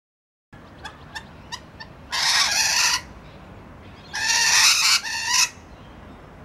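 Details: Rainbow lorikeets playing peek-a-boo in Lindfield give a few short ticking notes, then two long, harsh, grating screeches, each lasting under a second, separated by a brief pause.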